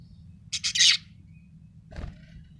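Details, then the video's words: Budgerigar described as happy, giving one quick burst of three or four sharp, high chirps in the first second, then near silence with a soft thump later. "happy budgie chirping sound"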